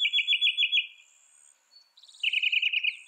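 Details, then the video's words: Rapid repeated notes from a northern mockingbird: a fast trill of about seven beats, a short pause with soft notes, then a second, slightly higher trill, with faint insect buzz overhead. "Northern Mockingbird Bird Sound Bird Song Bird Call"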